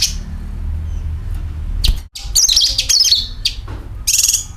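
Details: Sooty-headed bulbul lure recording with calling and dragged notes: sharp high chirps and a rapid, trilling run of quivering high notes, separated by short pauses, over low hum.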